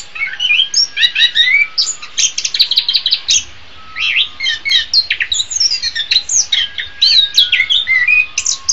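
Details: Orange-headed thrush song used as a master recording for tutoring other songbirds: a continuous, dense stream of sharp chirps, rising and falling whistles and trills, delivered quickly with barely a break, one brief pause midway.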